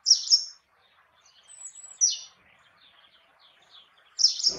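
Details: Great tit with brief high strident phrases, one at the start, one around two seconds and one at the end, short downslurred notes, quiet gaps between.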